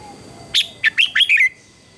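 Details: Red-whiskered bulbul (Pycnonotus jocosus) morning song: a short bubbly phrase of five quick, slurred whistled notes over about one second, mostly high-pitched, against a quiet background.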